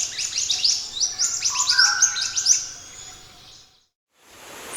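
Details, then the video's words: Scarlet minivet singing steadily, used as a tutor recording for other birds: a bright run of high, sharp whistled chirps and short slurred notes for about three seconds, then fading to quiet with faint background hiss. "MASTERAN BURUNG MANTENAN ( SEPAH HUTAN ) GACOR 2025"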